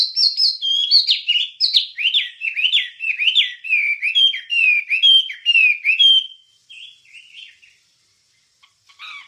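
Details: Wambie song used for songbird training: a rapid chattering sequence of falling whistled notes for about six seconds, then a few softer notes and silence, on a clean recording.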